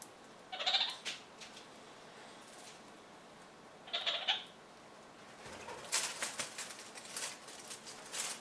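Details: Kakariki, one of two birds anting, preening their feathers with pine cone resin and Roman chamomile; two short harsh calls about three seconds apart, then scattered rustling and clicking sounds.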